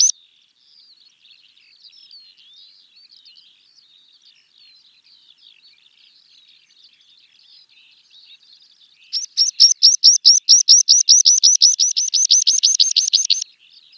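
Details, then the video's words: Meadow pipit, a bird of open grassy habitats, singing: faint thin twittering for about nine seconds, then a loud, rapid series of around twenty high, repeated notes over four seconds. "Meadow Pipit - Songs"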